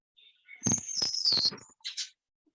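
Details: Eastern crowned warbler, a summer visitor to forest that arrives in April and May: a single very high, thin phrase of sliding, harmonica-like notes ending in a short buzzy burst, faint room noise beneath; Eastern crowned warbler.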